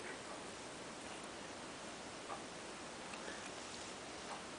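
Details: Steady broadband hiss like rain or rushing water fills the whole recording, with a few faint ticks and no animal voice.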